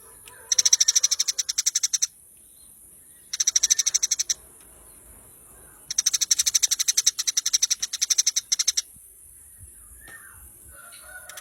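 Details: Eurasian tree sparrow, a masteran training recording: rapid bursts of sharp, rattling chip notes, three shorter trains and one long run of about three seconds, separated by pauses, with faint soft chirps afterwards and a steady high hiss.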